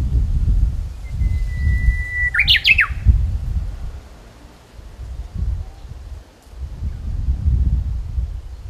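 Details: Spring song of a Japanese bush warbler: a thin, level whistle held about two seconds, then an abrupt burst of bright, steeply swooping notes. A heavy low rumbling background runs throughout.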